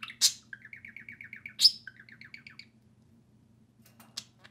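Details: Playing pet budgerigars give two sharp squeaks, each followed by a quick rhythmic series of repeated short warbled notes, then a few scattered clicks over a faint hum.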